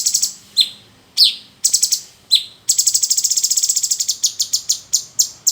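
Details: Caged male cucak cungkok bulbul in full song, kept as a tutor bird for magpie-robins, recorded Saturday 2 May 2020; sharp high chirps and downslurred notes, then a fast rattling run of clipped notes and paired chirps.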